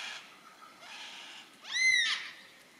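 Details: Yellow-tailed black cockatoo in Tasmania, Australia: a loud harmonic, arched wailing call near two seconds, rising then falling, following softer harsh noisy calls, over quiet background.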